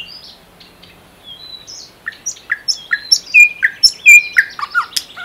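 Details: ['After a quiet start, a common nightingale from the Unzha river floodplain and Kologrivsky Forest reserve, Russia, produces a rising sequence of sharp whistled chirps, getting louder toward the end.']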